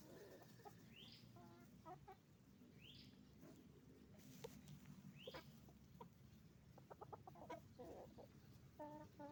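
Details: Chicken farm chorus of roosters and hens: rising high chirps repeat about every one and a half seconds, then dense runs of rapid low clucking over constant farm background noise.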